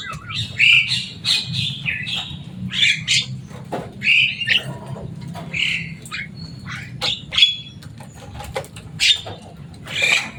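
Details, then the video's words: Caged pet Javan myna, known for its loud, noisy voice and human-like speech mimicry, calling busily: rapid harsh squawks, chattering bursts and brief whistled notes, repeated in irregular clusters every second or so over a low steady hum. "Burung jalak kebo selain suaranya yang rame"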